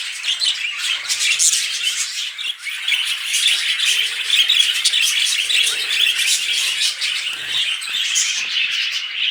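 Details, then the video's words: Loud budgerigar chatter during mating, with a dense high warble of squeaky notes and repeated short chirps, dipping briefly around the middle. "Budgies Mating"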